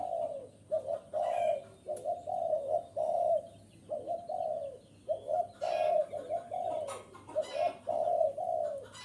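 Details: Repeated spotted dove cooing meant to attract wild doves: about six phrases, each a short double coo leading into a sustained, slightly falling coo, with faint clicks and scrapes in the background.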